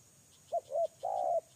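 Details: Lure-bird spotted dove delivering one short phrase: two quick soft coos, then a longer, even, held coo, with faint ticking insects behind.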